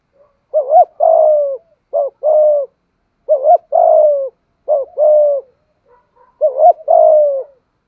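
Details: Spotted dove of Malaysian stock giving the 'thúc gù' cooing style: a short, quickly rising double note, then a long, steady, slightly falling coo. The phrase is repeated five times, about every 1.4 seconds, in a quiet setting.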